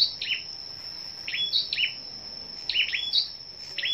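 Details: Morning singing contest among scarlet-backed flowerpeckers on 10 May: crisp, high ticking chirps repeated about every second, each a quick downward flick, with a constant high-pitched whine in the background.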